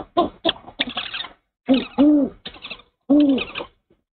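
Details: Owl pair at their nest early morning, 04/06/23, the male delivering a rat to the female. Scattered short hoots, then longer, deep bowed hoots in irregular groups with pauses between.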